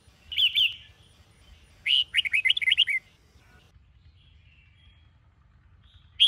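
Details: Morning training song of a Sông Kôn red-whiskered bulbul: a short warbled double note, then a fast run of clear whistled syllables from about 1.9 to 3 s, a pause, and another note at the close; steady low hum behind.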